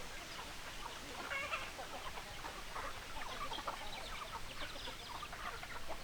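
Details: Domestic chickens, hens clucking: a dense chorus of short, overlapping clucks and chatter from several birds, with a steady background hiss throughout.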